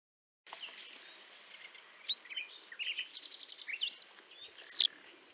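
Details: Western Yellow Wagtail of Central European fields and meadows giving a run of high, thin, squeaky chirps and short buzzy notes, scattered irregularly across five seconds, with faint background hiss.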